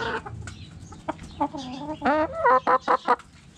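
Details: Hen clucking in a backyard coop: a run of short, clear, harmonic clucks, several falling-then-rising notes, then a rapid series of five evenly spaced clucks.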